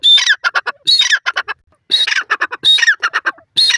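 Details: Four grating call phrases from a grey francolin, each a high whistled start sliding into a clipped series of harsh notes, with short silent gaps between.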